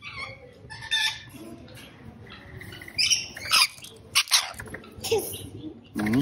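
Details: Rainbow lorikeet squawking in sharp, scratchy bursts, clustered near the middle and end, over a soft murmuring background.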